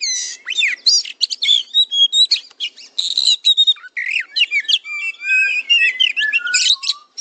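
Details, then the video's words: Oriental magpie-robin, called kacer, in a masteran tutor recording aimed at fighter-style song: quick mixed chatter and whistles, then clean level and downslurred whistled notes trailing off at the end. "MASTERAN KACER JADI FIGHTER"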